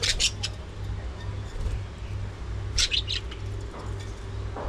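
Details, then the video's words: Budgerigars at early morning feeding, with brief bright chirp bursts near the start and again midway, over a low mechanical hum. "Budgies Full Time Activities | Early Morning Feeding Time"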